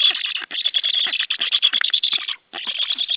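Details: White stork at the nest, 28 July 2013, recorded from a live stream: an unbroken, buzzy stream of quick harsh pulses, broken by two short silences before resuming just as loudly.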